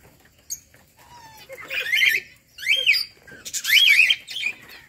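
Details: Peach-faced lovebirds kept at home, uttering three loud, shrill, screeching squawks with arched rising-falling shape, a soft whistle and faint chirps before them.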